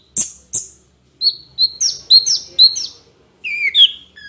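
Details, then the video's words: Orange-headed thrush training song: two sharp high notes, then a series of clear whistled notes repeated about every quarter second, ending in sweeping downward-slurred whistles. "MASTERAN SUARA BURUNG ANIS KEMBANG GACOR"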